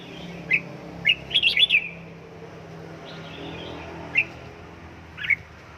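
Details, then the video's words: Red-whiskered bulbul kept and trained at home to build fiery singing form: single sharp chirps spaced apart around a short tumbling warbled phrase, over a steady low background hum. "Cách luyện chào mào căng lửa"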